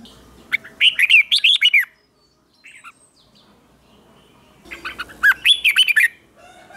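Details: Competition-style morning song of a red-whiskered bulbul in training: two energetic bursts of rapid, wavy warbled notes separated by a quiet pause with a few soft chirps.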